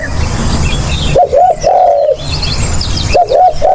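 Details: Spotted dove coo used for luring birds: two phrases of quick double notes leading into a sustained, slightly falling coo, separated by a low rumbling pause.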